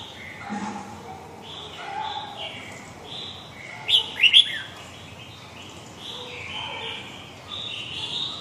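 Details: Over faint, soft warbling, a red-whiskered bulbul in the huế gọng dài style gives one loud phrase of three rapid, bright whistled notes.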